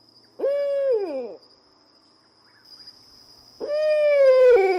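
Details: Owl giving two drawn-out, slightly falling, nasal calls about three seconds apart, with a steady high thin tone running throughout.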